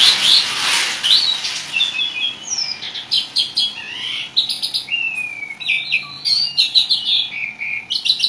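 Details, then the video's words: Asian pied starling in lively, chatty song with many varied phrases: a burst of harsh noise at the start, then clear whistles, rising and falling slurs and rapid repeated chirps high in pitch. "jalak suren gacor ngoceh banyak isian"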